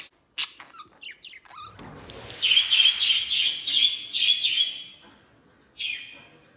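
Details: Pet white budgerigar out of its cage at play: a few scattered chirps, then a sustained, buzzy, rapidly pulsing warble for about two and a half seconds, and a final short chirp after a pause.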